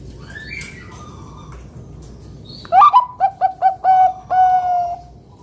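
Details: Zebra dove of Bangkok type, loud deep "kung" singer used as a master bird to make other doves sing. Faint chirps first, then a rising coo, five quick staccato coos and a long level closing note.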